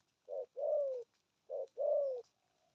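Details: Spotted dove cooing: two short low coos followed by a longer descending coo, then the pair repeated, each phrase soft and hollow in a quiet setting.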